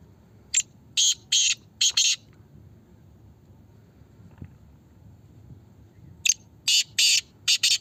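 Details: Calling contest of Black francolins in Pakistan: a grating phrase of a short note followed by several harsh rasping notes, a pause of about four seconds, then the same phrase repeated.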